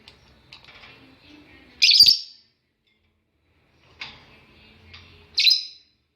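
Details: Lovebird with its chicks, kept as a pet bird: two loud, harsh, shrill chirps about three and a half seconds apart, with faint softer twittering between them in an otherwise quiet room.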